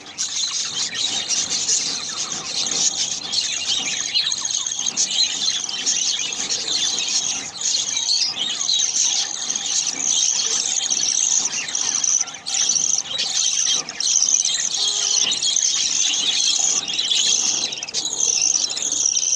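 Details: Budgerigar (Melopsittacus undulatus) chicks, hungry and being fed by their mother, give a continuous chorus of high, squealing begging calls.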